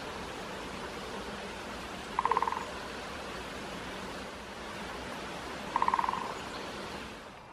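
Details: Great spotted woodpecker drumming on 1 January 2024 in a small woodland with two birds present, sometimes answering each other: two brief, rapid rolls of taps about three and a half seconds apart, each fading quickly, over steady hiss.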